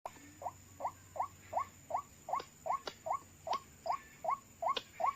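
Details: White-breasted waterhen (ruak-ruak) call played to lure birds for trapping, with two birds arriving within seconds: a steady series of short rising notes, about two and a half per second, with faint clicks in the background.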